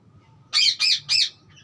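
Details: Green parrot chirping: three harsh, rasping calls in quick succession, each with an arched, slightly rising-then-falling tone, followed by quiet.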